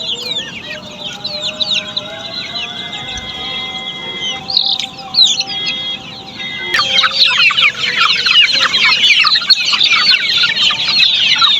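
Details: Flock of Australorp chicks kept on a poultry farm, rapid high peeps throughout, with a steady tonal hum early on, then the chirping grows denser and louder in the second half.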